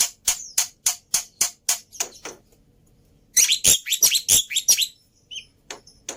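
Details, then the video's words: Black-winged myna lure and tutor song: rhythmic harsh scratchy chips, a pause, then a louder cluster of grating notes with a short squeak. "Pancingan Plus Masteran Burung Jalak Putih full Isian Mudah Di Tiru"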